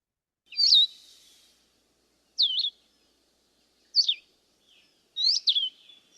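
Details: Blue-headed vireo song: short, sweet slurred phrases, high and clear, each separated by a pause of about one and a half to two seconds.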